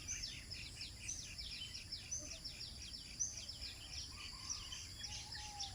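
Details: Sunrise at Eco Park 1, Bandar Seri Botani, Ipoh, Malaysia, with many birds giving rapid, high, falling chirps in quick succession. A couple of soft lower whistles appear toward the end over a steady shrill hum.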